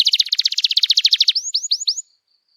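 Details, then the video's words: Canary trill for stimulating young birds to learn song: a rapid series of bright repeated notes for two seconds, ending with four rising upswept chirps, then silence. "Kenari Gacor Panjang Cuit Cuit Emosi, Pancingan Kenari Paud Belajar Bunyi, terapi ampuh kenari macet"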